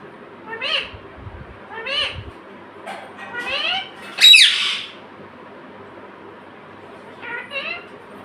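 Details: Talking pet parrot, said to call "mummy" and "papa". Several nasal, speech-like syllables roughly a second apart, a loud, rasping squawk in the middle, then two more soft word-like notes.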